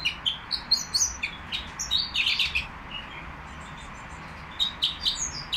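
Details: Caged nightingale at the Qriaa bird market, singing in short bursts of bright chirps and quick rising whistles, a pause near the end before a new rapid phrase, with a steady low hum behind.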